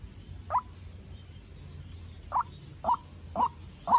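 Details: Young decoy White-breasted waterhen dueling a wild bird; a single gruff note, a long pause, then four quick repeated calls about half a second apart over rumbling background.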